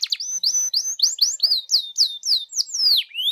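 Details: Canary song played to lure another canary into singing: a series of loud, clear whistled notes, some rising and some falling, repeated about three times a second.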